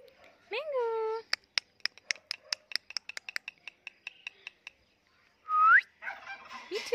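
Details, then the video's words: Talking parrot kept as a pet: a harsh bending squawk, then a fast run of dry clicks slowing over three seconds, a pause, and a loud upward-sweeping whistle followed by scratchy noises. "Funny Talking Parrot"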